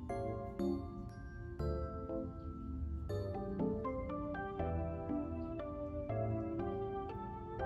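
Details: Bright chiming glockenspiel-like music with plucked, bell-like notes plays throughout, with no animal voice standing out.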